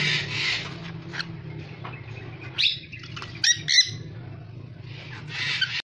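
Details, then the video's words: Dusky-headed conure (Aratinga weddellii), a species called very rare in Indonesia, producing rasping screeches at the start and end with a few clipped, sharp notes between, all over a droning low background hum. "Parrot rare item -Dusky conure(aratinga weddellii)"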